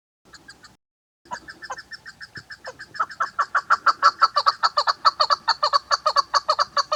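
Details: A female chukar partridge gives a run of clucking chuk notes that start slowly, then speed up into a loud, steady, rhythmic series of about two per second.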